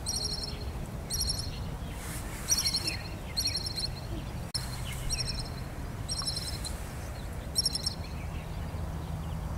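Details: Kinmen pied kingfisher, a waterside bird often seen in twos or threes, uttering sharp, piercing high notes in tight rattling bursts about once a second, with a low hum and outdoor ambience beneath.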